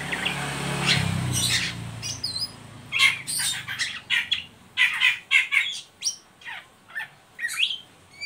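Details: An Oriental magpie-robin gives a chattering call of sharp, high chirps and harsh squawky notes in quick broken bursts after a low rumble, used as a lure to stimulate young birds.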